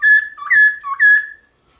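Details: Morning fighting song of a black-throated laughingthrush, aimed at spurring other birds to sing: four pure, loud whistled notes alternating between a higher and a slightly lower pitch, then silence.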